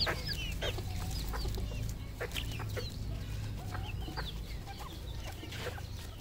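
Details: Red junglefowl clucking on a farm in Cambodia: sharp, short clucks and chirpy notes come irregularly, several per second at times, over a steady low rumble.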